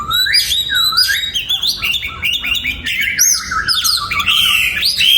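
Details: An oriental magpie-robin in a breeding aviary, 2022, sings energetically: looping whistled notes that climb and fall, interwoven with rapid high chips, in a dense, continuous flow.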